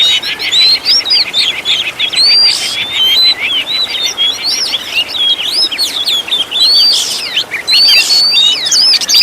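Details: Oriental magpie-robin song used as a master for caged birds, rich in varied phrases: steady rapid chirping with loud ringing whistled slurs and occasional noisy bursts, unbroken.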